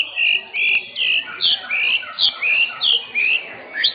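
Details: White-rumped shama (murai batu, blorok type), caged contest bird in Indonesia that took first place in its class, giving clear whistled phrases that rise then fall, repeated about every half second, with faint chatter of other birds behind.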